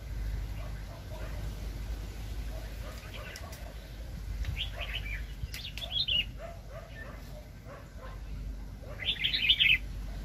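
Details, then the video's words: Agitated wild red-whiskered bulbul during bird trapping in 2020. Many faint chirps and short warbles are scattered through the clip, with a louder warble midway and a strong bright burst near the end, over low rumbling noise. "ĐẲNG CẤP BẪY CHIM CHÀO MÀO ||BỔI CỰC SUNG"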